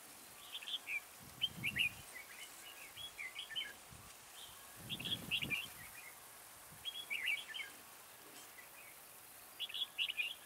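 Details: Caged decoy red-whiskered bulbul, a slender bird with a high soaring voice, singing at a trap to attract others. Repeated quick warbled phrases come every few seconds, mixed with low dull thumps and rustling.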